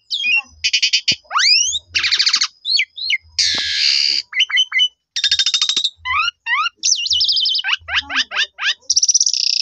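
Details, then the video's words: Asian pied starling lure song meant to provoke other starlings: a busy string of rasping buzzes, upswept whistles and harsh grating bursts, broken by short pauses, over faint low knocks. "JITU Memancing Jalak Suren Lain Langsung Bongkar Isian Nyaut Suara Panjang"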